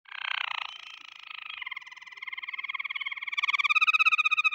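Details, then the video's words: A canary sings a rolling trill: a brief buzzy phrase settles into fast, evenly repeated notes that grow louder and brighter toward the end. "Beautiful Caneri bird singing"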